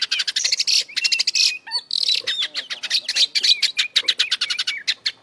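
An Oriental magpie-robin sings a rich, fast medley of high chattering notes, sweet whistles and harsh buzzy phrases, barely pausing across five seconds.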